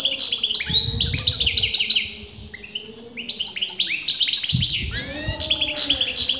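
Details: European goldfinch whose sex even experienced breeders disagree on, singing continuously: fast tinkling, twittering phrases of high bright notes with short rising and falling slurs, a quieter pause near the middle, low rumbling background noise.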